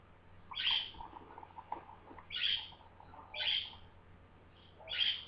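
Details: A pet budgerigar excitedly gives loud, harsh chirps, calls and screeches in short bursts every second or two, apparently set off by bird sounds played to it.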